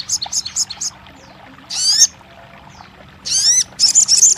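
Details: Crested jay, meant to get a silent bird singing: quick scattered high chips, two separate ringing down-slurred notes, then the start of a fast rattle.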